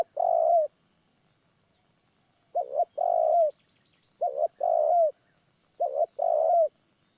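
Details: Repeated cooing of a Spotted Dove during a morning trapping session with a caged decoy dove: four phrases, each a clipped double note then a sustained falling coo, roughly every one and a half seconds, over a high whine.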